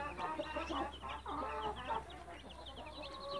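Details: Hen and her chicks, busy overlapping high peeps and soft clucks in quick succession, faint and somewhat muffled, over a steady low hum.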